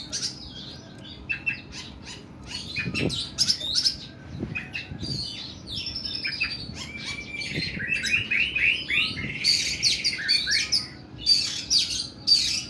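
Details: Oriental magpie-robin in sustained, long and coarse 'nembak' song: dense run of varied whistles, chattering notes and grating buzzy phrases that build louder toward the end, a few dull knocks in between.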